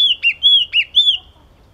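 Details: A short burst of yellow-cheeked tit song: three ringing whistled notes, each broken by a quick downward slur, delivered in just over a second before falling silent.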